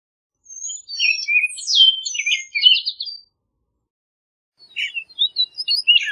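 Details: Orchard oriole (Icterus spurius) song: a rapid, jumbled run of sweet whistles and buzzy slurred notes for nearly three seconds, then resuming after a pause.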